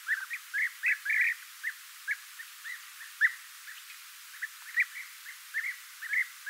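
European bee-eaters giving liquid, rolling 'prruip' notes, short and mid-pitched, tumbling over one another several times a second as if from a small flock.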